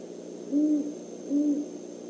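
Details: Great horned owl pair, male and female, checking out the Decorah eagle nest overnight on 17 December 2014; two soft, steady, low hoots spaced under a second apart over a faint hiss.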